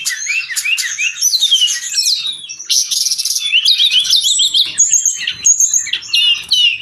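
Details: Continuous gacor song of a brown-chested jungle flycatcher, recorded as tutor material for caged birds: busy high warbling with rapid trills, sharp chips and short whistled slurs running without pause.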